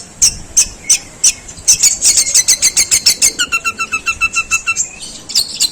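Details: Long-tailed shrike, a contest prospect, in long, rough sparrow-imitation phrasing: spaced sharp chirps accelerating into a rapid, steady train of high notes with an underlying held tone, ending in a few scattered chips.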